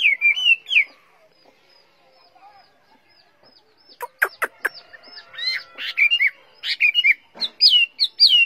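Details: Caged tame Chinese hwamei singing while its cage is carried: a few clear rising-falling whistles, a pause, then sharp clicking notes and bright whistled phrases toward the end.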